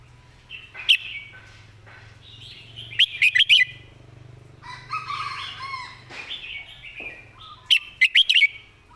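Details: Red-whiskered bulbul kept as a tutor bird, singing clearly phrased song: three bursts of short, loud, sharply pitched notes in quick clusters, with softer warbling birds between them and a steady low hum underneath.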